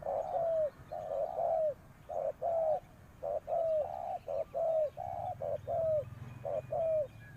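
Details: Decoy spotted dove cooing to draw in wild birds. Steady series of soft, hollow coos, each short note followed by a drawn-out falling one, repeating roughly every second over a low rumble.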